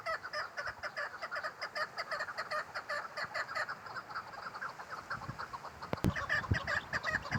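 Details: Female chukar partridge delivering a continuous rhythmic series of clucking notes, fairly even in pace, with a few sharp knocks and clicks toward the end.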